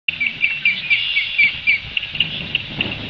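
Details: Red-winged Blackbird, likely nesting, aggressively harassing ospreys with two young on their nest at Long Beach Island, NJ, June 23, 2:18 p.m., defending its territory; sharp, high chips about four a second, uneven in pace, over a steady high hiss.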